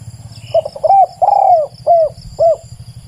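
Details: Close, clear cooing from a spotted dove: a quick run of five mellow notes, short hoots framing a longer, gently falling coo in the middle, with a faint constant high hum behind.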